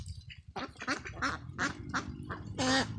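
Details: Ducklings on a free-range duck farm, chasing and jumping in a field: a run of short, harsh, gargling quacks in quick succession, ending in one louder drawn-out quack.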